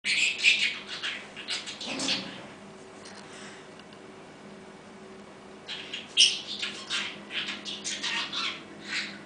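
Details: Pet parrot talking Russian: bursts of hissy, speech-like mimicry come in phrases, pause for several seconds of quiet with a steady low indoor hum, then resume.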